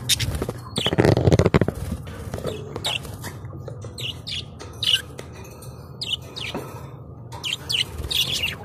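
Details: Colourful budgerigars chirp in irregular bursts of short upward and downward notes over a steady low background hum, with a louder thumping clatter near the start.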